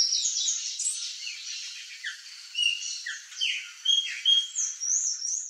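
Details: Palm tanager, high squeaky twittering with scattered short downward-sliding notes and a few thin whistles, irregular and moderately loud.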